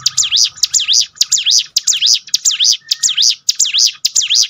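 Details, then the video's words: Bar-winged prinia song for toughening a bird's mentality: insistent high whistles, each a quick falling-then-rising swoop, repeated regularly roughly every half second, with a low steady hum in the background. "bikin ciblek gunung Ngetop || down mental bangkitkan lagi"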